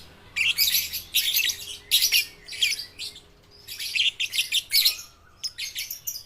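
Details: Young lovebirds, babies and balibu, heard to coax reluctant lovebirds to sing: separate bursts of harsh, buzzy chirping, each about half a second long, repeated with short silences between them.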